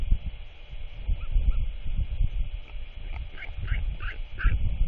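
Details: Royal albatross chick chattering to its father, who has arrived home just before dark on 27 March 2024 to feed it; a short burst of hoarse, honking calls follows in quick succession, over heavy wind rumble.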